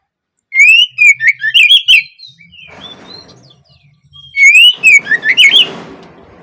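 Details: Oriental magpie-robin opening song, used to prompt young birds to start singing: two loud bursts of quick warbled whistles and chips, with a softer hissy rustling between them.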